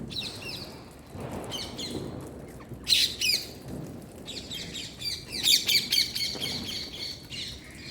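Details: An Indian parrot gives harsh, high chirps and squawks in quick uneven bursts during Diwali celebrations, with crackling and popping firecracker noise behind.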